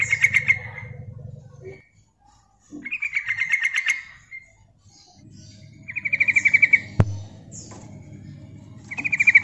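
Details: Female yellow-vented bulbul giving a lure call meant to draw males: four bursts of fast, throaty chattering pulses separated by short pauses, some starting with a thin high whistle; steady low hum underneath and one sharp click.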